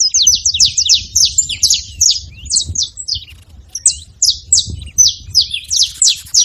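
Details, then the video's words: Wild saffron finches calling freely: a busy run of sharp, high chirps and short downslurred notes, about three per second and uneven in spacing, over a faint low rumble. "Canarinhos da terra livre na seva fazendo barulho"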